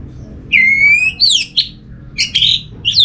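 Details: Orange-headed thrush from North Bali, Singaraja, used as a lure to set other thrushes singing: a long, clear whistle sliding slightly downward, then bright, sweeping upward and downward whistled notes in quick bursts.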